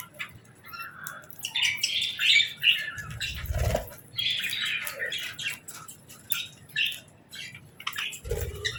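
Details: Several budgies chirping at twilight feeding time, a busy chatter of short warbled notes with occasional wing rustles and low knocks in the background.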